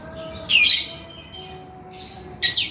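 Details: Male lovebird chattering: two strong bursts of shrill, buzzy, screechy notes about two seconds apart, each roughly a third of a second long, with softer squeaks and a low hum between them.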